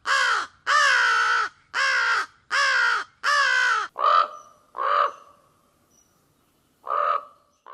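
A crow gives a run of harsh, hoarse caws, about one per second, the first five long and strong, then shorter, fainter caws with pauses.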